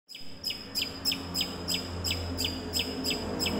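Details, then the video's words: Long-tailed shrike mimicking squabbling sparrows: sharp, high chirps with quick downward slurs, about three each second, over a low steady hum. "Cendet suara gereja tarung gacor"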